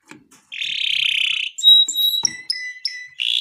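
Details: Long-singing gacor canary used for baiting: a sustained buzzy roll, then short clear whistles on several pitches and a final buzzy burst.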